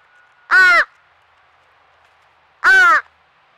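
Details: Baby crow, a fledgling from a noisy crow family at a squirrel feeder in Nova Scotia, Canada, crying nonstop; two loud, harsh, nasal caws about two seconds apart, with quiet background between.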